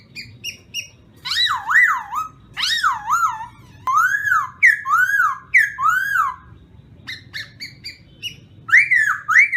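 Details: Black-throated laughingthrush in morning song training: sharp short pips, then repeated arched whistles that rise and fall, delivered in quick bursts of two to four with short gaps.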